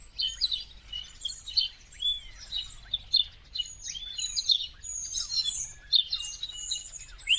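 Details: Huge winter flock of common starlings in India, migrants back for the season: continuous overlapping squeaks, clicks and rising whistles from many birds, busy and unbroken, over a faint low hum.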